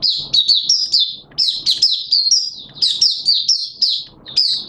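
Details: Oriental white-eye from Malaysia singing the 'buka' opening song on 21 June 2023: continuous quick high chirps, slurring down and up, in tight back-to-back phrases.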